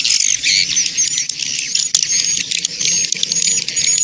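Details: Dense, busy swiftlet chatter used as a lure to attract swiftlets: continuous high twittering and buzzy chirps with scattered thin whistles and no clear pauses.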